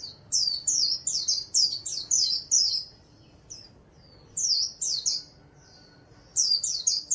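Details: Ornamental white-eye delivering 'líu' song: a rapid string of high, thin, slurred chirps, silence with a few soft notes, then two more quick bursts of the same bright twittering.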